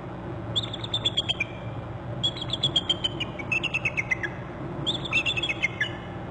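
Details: Both bald eagles of a Hornby Island nest pair alerting on their territory in January, one having flown out over the water: four bursts of high, stuttering, descending piping notes over steady low rumble.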